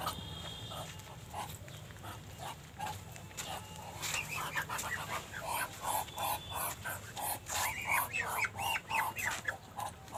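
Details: Muscovy duck, said to sound like a dragon, giving rapid breathy, pulsed calls about three per second. They are faint at first, then louder and harsher after four seconds, over a steady low hum.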